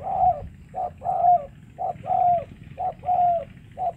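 Spotted dove giving soft, hollow coos in a short-then-drawn-out pattern, about one phrase a second, over a low background rumble.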